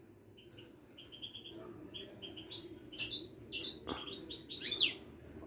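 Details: Moroccan wiidani European goldfinch, caged at a Casablanca bird market, delivers a series of quick high chirps that grow into a tumbling twittering phrase, broken by a sharp click near the middle.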